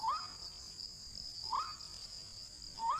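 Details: White-breasted waterhen lure recording for trapping: three rising, slurred notes spaced about 1.3 seconds apart, with a thin steady whine running high above.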